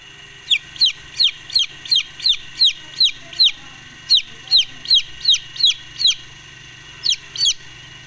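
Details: Golden Misri chicks brooding give high, sharply falling peeps in quick succession, about two or three a second, with a short pause before two final peeps over a faint low hum.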